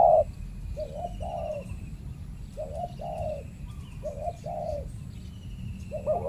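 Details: Spotted dove, the fierce territory holder of a banana plantation, challenged by a trained decoy dove during trapping; soft, fairly faint mid-pitched coos in short two-part phrases with pauses, over a low rumble of background noise.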